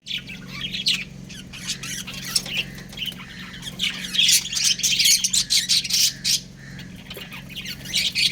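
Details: Pet budgerigars, described as a breeding pair, chatter in a rapid, irregular stream of high scratchy chirps and short squawks that build louder toward the middle, over a steady low hum.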